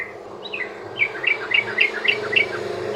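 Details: Sooty-headed bulbul ropel song, used to coax other bulbuls into singing: short bright chirped notes in a quick, even series, partly masked by a broad hum and hiss.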